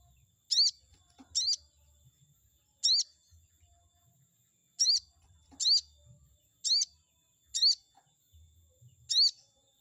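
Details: Song of a chestnut-backed scimitar babbler, used to stir up an opponent bird: eight sharp, high whistled notes at uneven intervals over ten seconds, faint low rumbling noise underneath.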